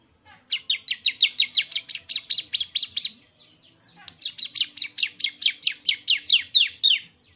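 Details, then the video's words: Two long bursts of rapid, high, downslurred chirps from a champion bar-winged prinia, each lasting around three seconds, separated by a short pause. "KICAUAN BURUNG CIBLEK SANG JUARA"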